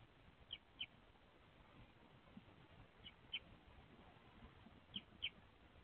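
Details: Male Eurasian Tree Sparrow on a nest box porch, 30 April 2024, calls to his mate inside arranging the nest cup during egg-laying; three quick paired "pyo pyo" chirps about every two seconds over a low rumble.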